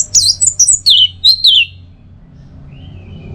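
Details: Orange-headed thrush (anis merah) masteran: a quick string of about six high, looping whistled notes lasting under two seconds. A faint thin tone follows, with a low hum behind.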